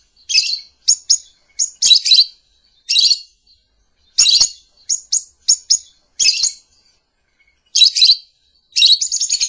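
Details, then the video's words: Lovebird calling: loud, shrill, high-pitched chirps in short squeaky bursts, some doubled or tripled, repeated at irregular intervals of about half a second to a second, against a silent background. "Lovebird Calling Sound"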